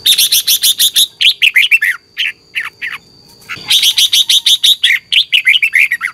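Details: Red-whiskered bulbul competition song in the morning, used to rouse other birds. Long stretches of fast, crowded whistled chirps with scattered falling notes and a brief quiet gap before the rapid chorus resumes.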